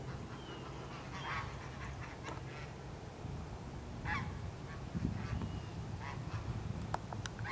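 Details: Geese at Burroughs Park giving scattered short, nasal honks spread across several seconds. Several birds call at irregular intervals over constant low rumbling background noise.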